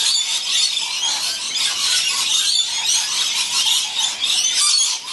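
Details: Many hungry lorikeets in a busy winter flock, June–July 2016, give a constant wash of shrill, screechy chattering and squeals that overlap without pause.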